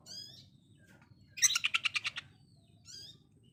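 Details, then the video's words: Konslet song of an Oriental magpie-robin, rough bursts like a sewing machine: a faint whistle, then one loud rattle of about eight rapid pulses, and a soft high trill at the end. "KONSLET TEMBAKAN KASAR , BAGAIKAN MESIN JAHIT"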